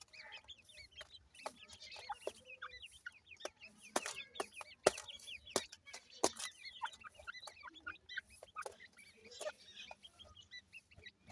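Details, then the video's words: ['Ring-necked pheasant chicks, a group calling together: a dense chorus of short, high, arched peeps, overlapping and repeated many times a second, broken by sharp clicks and taps.'] "Ringneck Pheasant bird Chicks,teetar chicks kiawaz"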